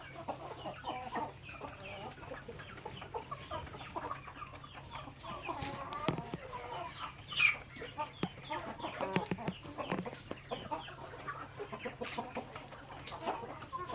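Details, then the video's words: Backyard native chickens pecking grains at feeding time, giving soft scattered clucks amid constant pecking taps and rustling, with one louder sharp note midway. "Chickens Pecking Grains in the Backyard"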